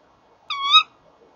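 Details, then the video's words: Male and female Tawny owl calling at their nest box, 30 January 2014 around 19:31; a lone nasal, tonal call of about 0.35 seconds, gently rising and ending abruptly, surrounded by faint low background hiss. "Bosuil M en V roepen samen bij de kast"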